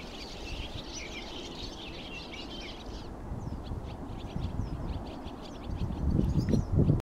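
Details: Some 50–70 barn swallows at Greifensee, perhaps on migration, fly wildly about overhead and settle in a tree, twittering in a dense, high chatter that then thins to scattered chirps over low rumbling wind.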